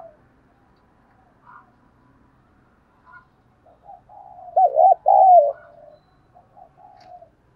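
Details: Spotted dove cooing as a stimulus for decoy birds, praised for its voice: a rising murmur of soft coos builds into two loud looping coo notes, then fades into quieter short coos.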